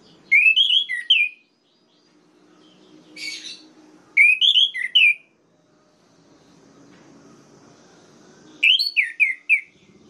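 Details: Orange-headed thrush song used to stir up rivals: three separate bursts of quick, slurred whistled notes a few seconds apart, with a brief harsh note between the first two bursts.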